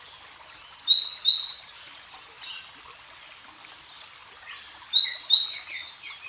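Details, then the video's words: Grey-headed canary-flycatcher from Asia singing two high, thin whistled phrases with downslurred notes, about four seconds apart, with softer chirps after the second. "Grey Headed Canary Flycatcher Singing"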